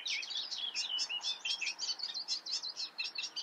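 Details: Eurasian reed warbler singing a continuous, chattering stream of scratchy, rapidly repeated notes, each motif two or three times, with a steady jerky rhythm and no pauses.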